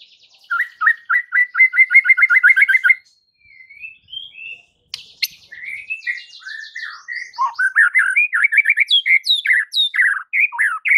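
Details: White-rumped shama singing to provoke rival birds: a fast rattling series of repeated chipping notes for three seconds, a pause, then rich varied whistles, slurs and rapid trills, loud and continuous, no other sounds.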